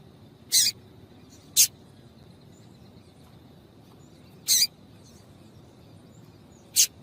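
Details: Female double-collared seedeater calls to prompt a male to sing: four brief, thin, high chips at irregular intervals over seven seconds, with a steady faint high whine and low background rumble.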